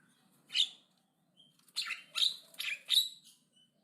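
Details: Javan myna in loud, aggressive song, giving a single harsh rasping note, a pause, then four rough, grating notes in quick succession with brief thin whistles between.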